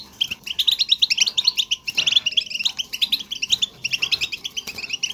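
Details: European goldfinch batbata chatter, used to prompt singing: lively, jerky runs of high chirps and tinkling trills with short breaks about every second, plus faint low rustling.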